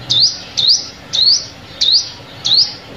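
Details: High, thin upward-sweeping notes from a sunbird, repeated five times at roughly half-second intervals; played as a decoy call for trapping birds, over a quiet low hum.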